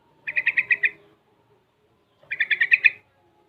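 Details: Yellow-vented bulbul aged six months, singing actively while learning the ropel and garuda styles: two short bursts of five or six bubbly, chattering notes each, separated by a clear silent pause.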